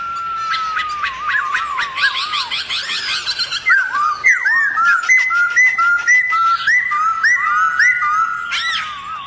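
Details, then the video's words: Song of a Black-throated laughingthrush in the forest style, aimed at stirring other laughingthrushes: a level whistle, a dense chattering stretch, then steady clear rising-and-falling whistled notes repeated rapidly. "Khướu bạc má HÓT GIỌNG RỪNG KÍCH MÚA"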